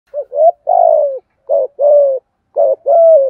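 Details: Spotted dove cooing to lure wild doves: three phrases, each a short low coo followed by a longer, slightly falling coo, spaced about a second apart in a quiet setting.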